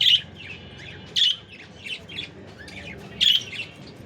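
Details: Cockatiel (Nymphicus hollandicus), call.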